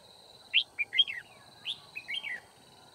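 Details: Decoy red-whiskered bulbul singing to provoke rival birds during trapping, 9 February 2019; two lively phrases of clear, bouncy whistles sliding up and down in quick succession.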